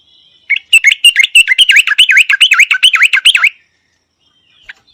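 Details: A yellow-vented bulbul sings a three-second run of quick, liquid, down-and-up slurred notes, bubbling and fairly even, followed by silence.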